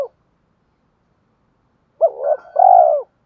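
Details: Spotted dove decoy calling to lure wild doves into answering. After a pause comes a single phrase: a short rising coo, a quavering middle, and a long full low note.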